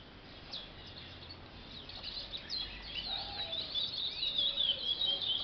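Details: A captive-bred young Chestnut-bellied Seed Finch, still in song training, gives a rambling practice song of quick, high twittering chirps and short whistled slurs, growing busier toward the end.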